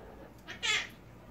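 A Monk parakeet gives a brief, raspy, speech-like utterance with a nasal, meow-like tone.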